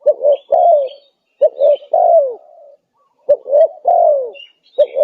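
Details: Spotted dove lure recording of a vigorously calling bird used to attract other wild doves: low cooing phrases of two short notes then a long, drawn-out, falling coo, repeated about every two seconds. Faint higher chirps sound in the background.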